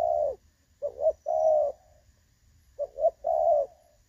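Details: Spotted dove with a clear, pleasant "đồng son" style voice, recorded 16 August 2024 as a trapping decoy; low hollow coos come in groups: a short doubled note, then a longer sustained coo, with a pause between groups.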